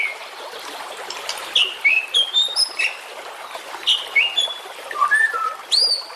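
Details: White-rumped shama song used as a training track for competition birds: a varied run of short, clear whistled notes at changing pitches, some rising and some falling, separated by brief gaps over a steady background hiss.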